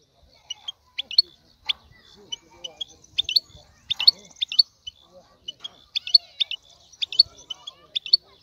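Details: European goldfinch male song for stimulating a female to breed, heard more softly here as scattered sharp chirps and short twittered notes spaced about every half second.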